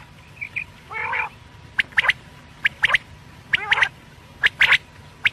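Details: Quail (batair): a buzzy harmonic note and a downward-sliding rasp mixed among quick high three-note whistled phrases, irregularly spaced, with soft chirps at the start.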